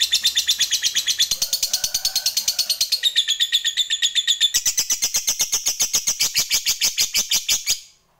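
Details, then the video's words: Caged-hobby lovebird giving extended 'ngekek' chatter used to stir other lovebirds into singing: rapid, steady train of shrill buzzy notes, changing timbre a few times, running for nearly eight seconds before stopping abruptly. "PAKAI PANCINGAN SUARA LOVEBIRD INI AJA, AGAR LABETMU JADI FIGHTER DAN TAK LAGI MALAS BUNYI"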